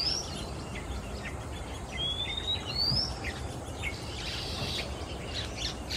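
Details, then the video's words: Male Oriental magpie-robin singing from perch to perch in Singapore in the afternoon; a clear rising whistle, then a long sweeping upward whistle, followed by scratchy notes and a harsh burst over faint background rumble. "Sweet singing Male MAGPIE-ROBIN, Singapore"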